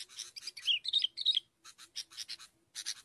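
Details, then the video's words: Sooty-headed bulbul, a recording for luring birds: rasping bursts and tumbling whistled notes, then evenly spaced harsh chips, over a faint steady low hum. "pikat BURUNG KUTILANG"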